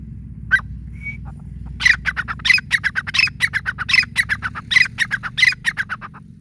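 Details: Grey francolin (teetar) calling: one opening note, then a long steady series of loud, harsh, squawking bursts repeated roughly every third of a second, over a faint low hum.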